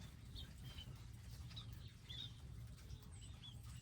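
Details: Birds at a purpose-built garden feeding spot with seeds and water; scattered clear high chirps and thin whistled notes, a few curling upward near the end, above steady low rumble.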